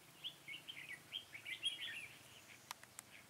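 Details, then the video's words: Red-whiskered bulbul singing its full song with tail fanned during bulbul trapping, 1 November 2017. Rapid warbled, liquid phrases rise and fall, followed by a few sharp clicks. A man speaks briefly afterwards. "Bẫy chào mào Xòe đuôi hết bản"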